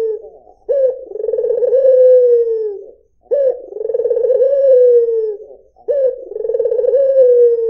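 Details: Three evenly spaced coos from a white Barbary dove, roughly every two and a half seconds. Each has a sharp lead-in, a throbbing roll and a long, smooth tail that sinks in pitch.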